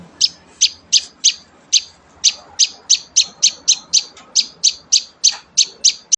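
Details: Young prinia being hand-fed, uttering loud, crisp high-pitched chirps repeated about three times a second in a slightly uneven rhythm, each note clipped and bright; low faint hum behind.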